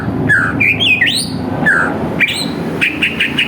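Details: Greater green leafbird lure song meant to provoke rival birds into singing: a brisk run of bright slurred whistles and upward-swooping notes, with a steady low rumbling hum underneath.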